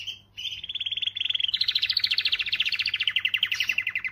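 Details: Canary song for stimulating females: a brief note, then a long continuous rolling trill of rapid repeated notes, strong and steady throughout.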